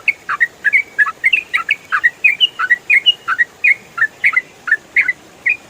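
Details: Trucukan (yellow-vented bulbul) in full ropel style as songbird training audio: a continuous, fast, uneven chatter of bright chips and short rising-falling whistles, about three notes per second.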